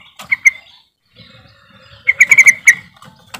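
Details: Yellow-vented bulbul lure call: a short pair of clear notes, then a fast run of bubbly, chattering pulses, over low background rumble.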